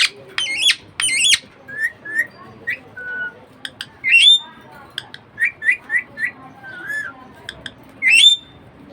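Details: Pet budgie parakeet chattering: short warbled notes near the same pitch repeated in quick bursts, with several loud harsh squawks rising and bending, and one sharp upswept whistle, all indoors with low background hum.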